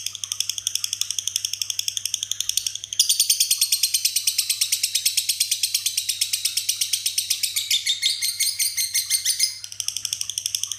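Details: Lovebird performing ngekek with one foot raised, its song filled with imitations of other birds: a long unbroken high, harsh rattling chatter of rapid pulses, swelling louder and denser midway, then easing back to a steadier pulsed trill.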